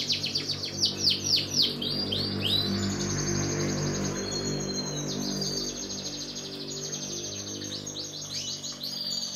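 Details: Canary song from a black-red and a yellow canary: quick descending sweeps at the start, then a long high buzzing trill, accompanied throughout by a steady low droning background.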